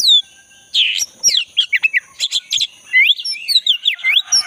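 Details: Singing black-breasted oriental magpie-robin from the forest, intended to stimulate a mute caged bird: a downslurred whistle, then a long rapid run of varied sharp notes and looping whistles, with a persistent high hum.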